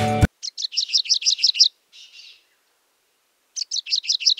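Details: In Sri Lanka, a grey-breasted prinia gives a short musical opening sound, then a fast series of about seven high, squeaky notes, a brief buzzy trill and another rapid run.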